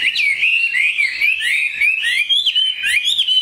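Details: Chinese hwamei kept as a cage bird singing a bright, rapid sequence of looping whistled notes, rising and falling in quick succession with scarcely a break.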